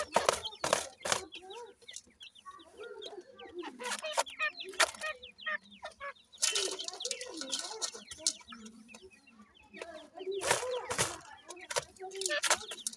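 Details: Young grey francolins (dakhni teetar) with their parents, a busy chorus of fine high cheeping notes in quick overlapping series, broken by loud broadband bursts and lower clucking sounds.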